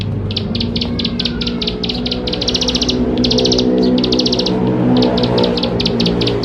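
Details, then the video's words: Bar-winged prinia (ciblek sawah) in lively, full song, used to prompt young birds to start singing quickly: bursts of rapid, high ticking notes in quick trains, over a steady low hum and background noise. "Ciblek Sawah Gacor Full Isian Mewah || Untuk Pancingan Ciblek Sawah Muda Agar Cepat Bunyi"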